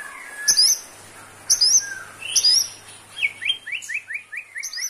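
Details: White-rumped shama song played as therapy for a caged shama lacking stamina: sharp high whistled notes about once a second, then a descending series of quick slurred whistles.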